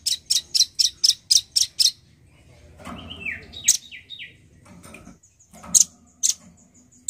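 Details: Male nuthatch in full song: a fast series of seven sharp, high piping notes, then a pause, a few short downslurred whistles and scattered louder pips, with faint background rustling.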